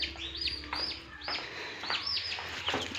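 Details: Hatching turkey chicks in an incubator at a turkey farm in Darrang, Assam. They give clear, high, arched peeps that fall in pitch, about two each second. A soft steady machine hum runs throughout.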